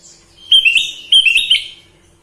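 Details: Sooty-headed bulbul singing two bright, bubbly whistled phrases in quick succession, each a fast cluster of slurred notes rising and falling, loud and clear against a quiet backdrop.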